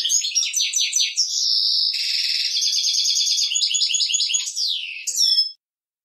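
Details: Male European goldfinch delivering a continuous teaching song for young birds: fast liquid twitters, a long buzzy trill, bell-like notes and a falling slur ending in bright high twitters.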